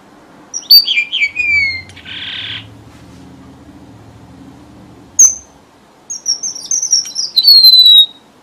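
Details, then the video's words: Red avadavat lure song, as used by Vietnamese bird keepers for trapping: thin, high whistled notes sliding downward, then a short buzzy rasp, a sharp click, and a run of high descending whistles, over a faint low hum. "TIẾNG CHIM HOA MAI ĐỎ MỒI CHUẨN 3H"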